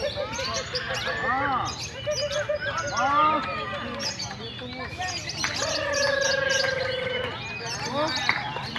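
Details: Many lovebirds at a crowded training session for singing competitions, birds practising in the lovebird class; chattering chirps, rising squeaky notes and a long steady rattling trill lasting almost two seconds, over constant human chatter.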